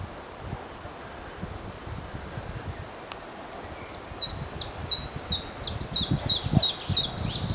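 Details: Common chiffchaff singing in a tree on a windy day: a steady run of about ten high, clipped notes, evenly spaced at roughly three per second, over constant wind rush and rustling leaves.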